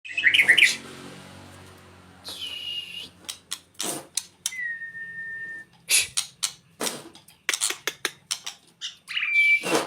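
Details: Wild white-rumped shama singing: long pure whistled notes held steady, one sliding downward, mixed with bursts of harsh, noisy rasping phrases and sharp clicks, uneven phrasing with short gaps, indoors-sounding background.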